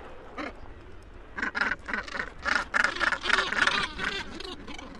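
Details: Northern gannets breeding on Helgoland, quieter colony murmur rising into loud bursts of harsh, grating calls in rapid succession, several birds overlapping.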